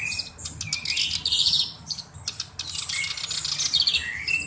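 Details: Black-browed reed warbler kept as a tutor bird, singing in two bursts of grating, chattering notes with quick rattles and short rising whistles, separated by a brief quieter gap.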